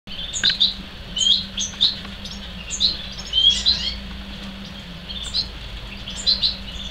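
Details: Two young European serin hybrids, offspring of a male and a female serin, give high, thin chirps and twittering bursts, several per second and often overlapping, over a steady low hum.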